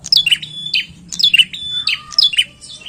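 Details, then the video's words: Bar-winged prinia singing: quick, high chip-and-whistle phrases in steady succession, with a softer lower whistle drifting beneath toward the end and a faint background hum. "PRENJAK GACOR PIKAT OKE"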